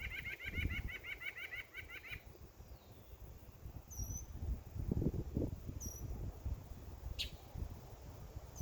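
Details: Backyard bird chirping in summer: a fast, rattling trill of repeated chirps for about two seconds, followed by a few faint, thin, high whistles scattered through a steady low background rumble.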